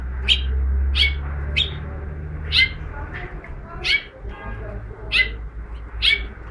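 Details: Mexican goldfinch singing: bright, sharp chirped notes repeated roughly every half second to a second, with one short rattled trill midway, all over a steady low background hum.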